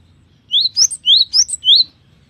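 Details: Cinereous tit singing in chatty full voice, its song described as varied and long-running: five or six sharp upslurred whistles alternate high and slightly higher, delivered rapidly with short gaps, crisp against a quiet background.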